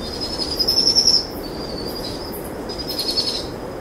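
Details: Powerful owl chicks, two of them, trilling while an adult female feeds them a brushtail possum after dusk: a high, fast pulsed trill lasting about a second near the start, with fainter trilling later and a steady high thin tone throughout.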